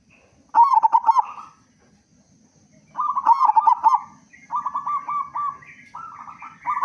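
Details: Zebra dove, local bird with a big voice, used to lure other doves into song: repeated rapid stuttering coo phrases, later ones shorter and coming in close succession.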